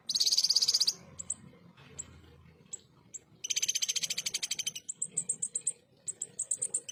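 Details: Clear voice of a ruby-cheeked sunbird giving rough 'tembakan' bursts for tutoring pet fighter birds: a short harsh high trill, isolated thin chips, a long fast rattling trill, then rows of sharp high twitters.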